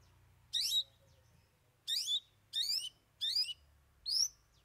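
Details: Cendet, the long-tailed shrike, delivering three isian mimicked fillers: five grating, buzzy upward-sweeping high notes in fairly quick succession, the first three more widely spaced, over a quiet background.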